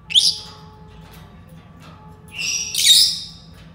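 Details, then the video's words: Senegal parrot giving two harsh, broadband screeching squawks, a short one at the start and a longer, louder burst near the end, with quiet room background between. "Senegal parrots sounds تصفير جميل و محفز لببغاء اليويو السنغالي"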